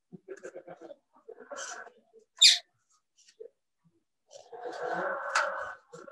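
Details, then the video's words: A pair of parrots at a bird safehouse, vocalizing to each other in apparent English words; stuttered raspy syllables, a piercing squawk at mid-clip, then a long nasal, speech-like drawl. "Talk to the Parrots"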